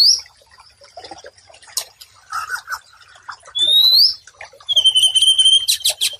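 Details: White-rumped shama masteran for stressed birds that stopped singing: a short whistle, low chattering notes, a loud rising whistle, then a long level whistle cut by sharp clicks.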